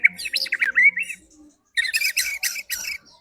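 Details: White-rumped shama song used as a lure to get other birds singing: quick, loud bursts of whistled and chattering notes, a varied warbling phrase, a brief pause, then a rapid series of rich, harsh notes.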